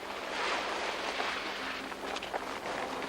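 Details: Steady rushing wind and water noise, like a boat moving over waves, with no animal voices.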